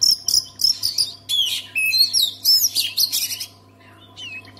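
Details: Oriental magpie-robin song aimed at getting other magpie-robins singing: dense loud whistled phrases, sharp slurs and chattering notes for about three seconds, then quieter, with a faint whistle near the end.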